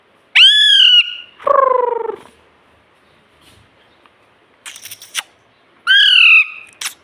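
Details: Green pet ring-necked parrot gives a piercing rising screech, then a buzzy spoken "mummy"-like word, then further shrill squawks after a pause, with faint rustling.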